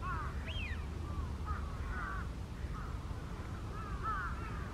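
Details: Wild Eurasian wigeon in December on the Kanto Plain, Japan: repeated whistled calls that rise and fall, some sharp and high, others lower and drawn out, with several overlapping over a steady low rumble of background noise.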